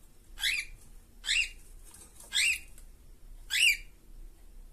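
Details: Caged pair of cockatiels: four strident, buzzy squawks, each a short burst with a sharp upward sweep, roughly one every second, over faint low room noise.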